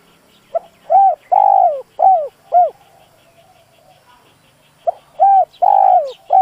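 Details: Spotted dove decoy whose call is said to draw even shy wild doves. Two repeated cooing phrases each run quick note, long falling coo, then two short hollow coos. A brief lull separates them, with faint chirping behind.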